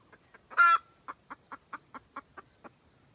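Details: Wild junglefowl hen cackling to call a rooster, used for trapping: a few soft clucks, one loud harsh squawk, then a steady run of about eight short clucks repeated roughly every quarter second.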